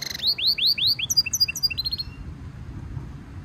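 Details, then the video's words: Goldfinch mule hybrid, training song: a series of loud arching slurred whistles, about four in a row, followed by softer, higher chipping notes that fade into quiet. "European goldfinch Singing Mule -Training - Jilguero Mulo - Carduelis carduelis - Stimulation song"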